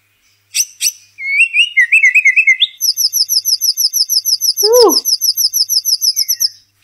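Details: White-rumped shama (murai batu), a tutor-class bird, in full, long song: sharp opening notes and warbled whistles, then a long rapid string of bright repeated notes, about four per second, broken by one descending whistle.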